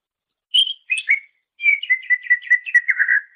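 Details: Songbird-training master of a greater green leafbird: two clear whistled notes, then a steady run of about ten quick, evenly repeated chirping notes, clean and loud.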